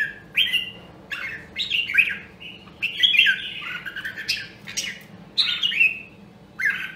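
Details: Red-whiskered bulbul of the rare Nam Đông, Huế voice line, kept for voice training and fighting song; bright whistled phrases sliding between high and mid pitch in short bursts with pauses, faint low hum behind.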